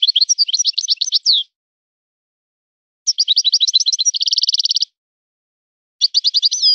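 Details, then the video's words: European goldfinch from the wild, trained in a breeder's song style: three phrases of rapid high twittering separated by pauses, the middle one ending in a fast, uniform buzzing trill. "طائر من طيور لي تاتغرد على نمط طيور سي حسن الكلوب ولد الغابة"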